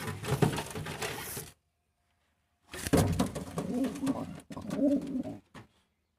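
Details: Pigeons kept indoors for sale in a small room: low, soft cooing in repeated bursts, broken by a short silent gap, with rustling and handling noise throughout.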